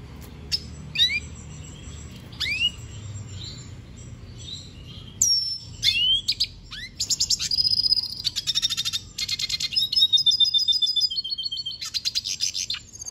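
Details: Venezuelan goldfinch singing: scattered sharp upslurred calls at first, then a dense, energetic twittering song of high trills and buzzy notes filling the second half.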